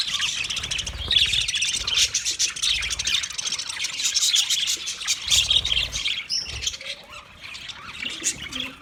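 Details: Several budgerigars chattering for a lonely bird: a continuous stream of busy, high warbled twitters and squeaks, easing off toward the end, with faint low bumps at times.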